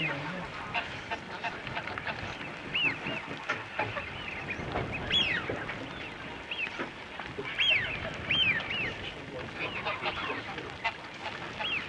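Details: European white-fronted geese seen from the Holden Tower in the afternoon, filmed with a Panasonic SDR-S26 camcorder: many overlapping high yelping, laughing calls from a distant flock over a steady hiss of background noise.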